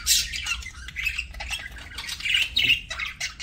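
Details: Pet parakeet at mealtime, giving harsh, scratchy squawks and chirps in a bright upper register, several short bursts over a few seconds, with a faint low hum behind.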